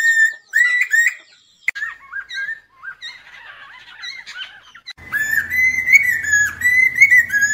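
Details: Lesser necklaced laughingthrush song for trapping: loud whistled slurred notes, then quieter softer whistles, then a dense stretch of overlapping whistled phrases over a low background hum.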